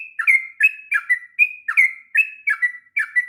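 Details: Tutor song for young birds by a sooty-headed bulbul, long and rolling: loud, rich whistled notes with sharp dropping starts and drawn-out level tails, about three notes a second, nothing else audible.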